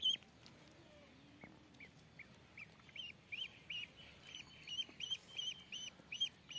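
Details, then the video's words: Ducklings start with a few quiet peeps, then settle into a steady chain of rising-and-falling high chirps over the final four seconds. "Duck Chicks"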